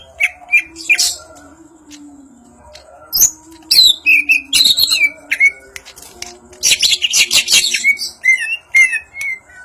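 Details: Ngentrok njambul song from a Banyuwangi greater green leafbird: sets of short repeated whistles, downward-sliding notes, then a long burst of dense buzzy chatter followed by varied whistled flourishes.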